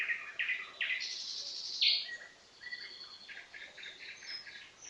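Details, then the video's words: Nightingale song heard at moderate distance: several clipped, repeated notes, a louder sweeping phrase, then soft whistled and chattering fragments against a light background hiss. "NIGHTINGALE sounds"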